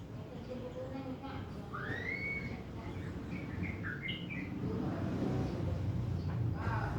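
A blood-breasted flowerpecker gives a slurred, up-swept whistle, then a few thin, high chips, over a steady low rumble of wind or traffic.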